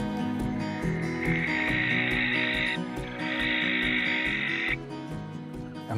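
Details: Young UK barn owl pair at their tower nest box during their first breeding season, around courtship and first mating attempts: two long, harsh, hissing screeches, each about two seconds, over steady background music.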